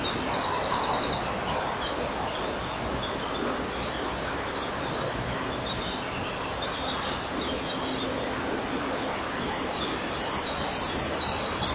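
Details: At a common kingfisher nest, 10 May 2013: high, rapid, buzzy pulsed call bursts, one at the start and another near the end, over steady hissing background noise.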